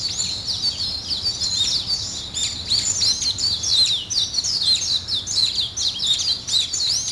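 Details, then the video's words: Birds waking in the morning fill the air with bright, high twittering and sharp chirps, a continuous overlapping chatter from several singers. "아침을 깨우는 새소리 2 ,Birds wake up in the morning 2"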